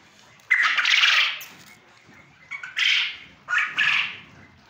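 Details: A male quail on a quail farm in Punjab, Pakistan, gives three harsh, raspy bursts, one long and then two shorter in quick succession, against a quiet background.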